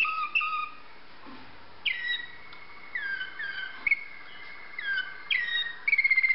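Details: Waterslager canary singing clear, pure whistled notes: falling glides and long sustained tones near the same pitch, some slurred downward, ending with a fast rolling trill; quiet room background otherwise.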